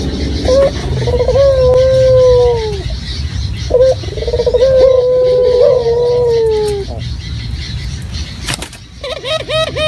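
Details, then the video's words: Indonesian local puter dove lure call: two long drawn coos, each starting with a brief rattled lead-in, then a quieter gap and a short burst of bubbling notes at the end. "Pancingan Burung Puter Lokal Gacor Suara Jernih Alami"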